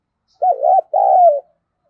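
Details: Spotted dove decoy bird cooing to lure wild doves: one low, mellow two-part coo, the first note wavering, the second longer and sliding gently downward, in otherwise quiet surroundings.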